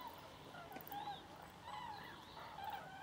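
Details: Over 5000 Common cranes (Grus grus) flying southbound over Jouy, Cher, Berry; distant rolling, trumpeting flight calls a few times a second from a large flock overhead, over soft background hiss.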